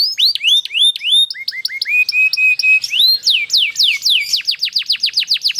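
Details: Canary singing a long, rolling song meant to draw other canaries into singing. Curving whistled notes repeat in quick runs, then a low flat-note series, then rising sweeps speeding into fast, crisp descending slurs at the end.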